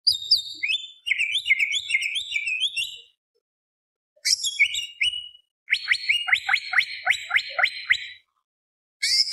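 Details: Greater green leafbird in full, lively song used as a lure to fire up other birds: bursts of sharp whistled and chattering notes, descending runs near three seconds long, then a rapid rolling series of stacked chirps, separated by short silences.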